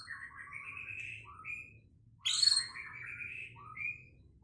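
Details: Quiet recording of a Pekalongan white-rumped shama singing to incite a rival to fight: soft warbled whistles and one louder high burst, over a steady low hum.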